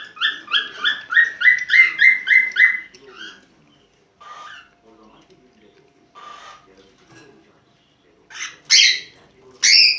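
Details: Cockatiel in breeding condition making mating calls: a quick series of even, repeated chirps for about three seconds, then scattered softer notes, ending with two loud harsh screeches.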